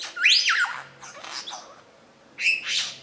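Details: Part of a mature male lyrebird's repertoire, recorded under dark rainforest canopy at Dorrigo National Park: harsh, squawking upswept notes followed by scratchy chatter and a rough burst.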